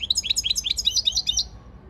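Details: European goldfinch training song, 15 February 2024: a brisk, evenly paced string of about fifteen high, liquid, down-slurred twitter notes, ending abruptly after a second and a half.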